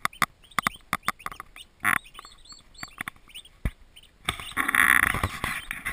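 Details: Turkey poults, a group of twenty just arrived at a farm nursery, peep in thin arched whistles between sharp taps and clicks, before loud rustling and handling noise takes over at the end.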